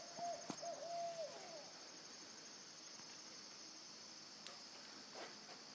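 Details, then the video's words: An owl gives one wavering, mid-pitched hoot lasting over a second, then falls silent, while a steady high insect whine and a few sharp clicks continue throughout. "Just a couple of Owls making some noise."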